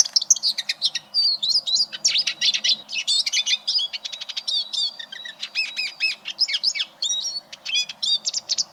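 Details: Eurasian siskin (Spinus spinus), song.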